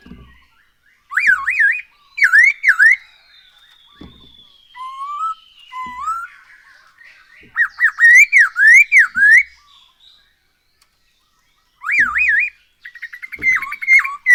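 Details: Black-throated laughingthrush in captivity delivering repeated loud zigzag whistles, a long thin descending whistle, low rising notes, then more bursts of swooping whistled phrases.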